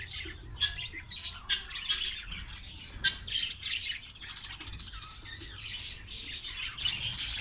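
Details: Many Australian parrots of a Karachi colony chatter at once: high squeaky chirps, warbles and sharp squawks run on without a break, with a few louder calls standing out.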